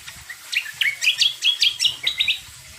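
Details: Greater green leafbird lure song meant to prompt other birds to sing: a lively chain of about eight fast, sweeping whistled notes that rise and fall, closely spaced and loud.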